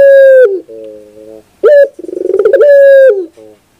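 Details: Puter dove singing for sound therapy: a long steady coo sliding down at its end, a lower buzzy coo, a short sharp note, then a quick rolling stutter leading into another long held coo.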